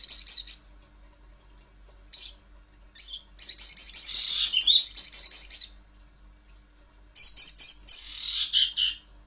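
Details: Sogon or little spiderhunter producing high, insistent chatters: short opening bursts, a long rapid run of clipped notes lasting over two seconds, then another quick burst ending in a descending squeaky trail.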